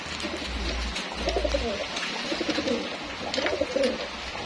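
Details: During the daily feeding of racing homing pigeons, several birds give throaty rolling coos in short overlapping bursts, backed by a low steady hum.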